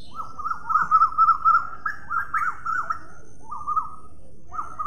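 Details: A parrot gives rapid, looping whistled notes that rise and fall, run together in a quick burst, then pause before a few more warbled whistles.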